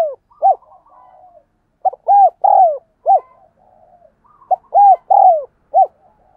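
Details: Spotted dove giving its 'thúc gù' urging coo, a recording used to train decoy doves and stir wild doves to call. Low, soft four-note phrases: a short note, an arched coo, a long falling coo, and a final short arched note. They repeat twice with faint murmurs between.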